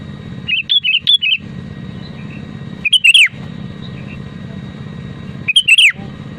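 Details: Real voice of a Sooty-headed bulbul singing persistently, used to coax other bulbuls into song: three short, liquid, warbling phrases spaced a couple of seconds apart, each ending in a downward slur, against a constant low droning background.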